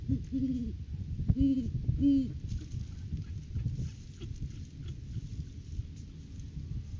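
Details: Pair of Great Horned Owls at the nest tree in courting season, live nest camera, January 9, 2023; three deep, soft hoots in quick succession at the start, then only low background rumble.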